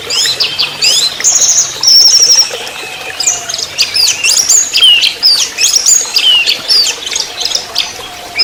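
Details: Fast, dense trotol song from an orange-headed thrush, a lure and master recording for training songbirds: long continuous run of sharp whistles, zigzag slurs and mimicked chips with hardly a pause, loud throughout.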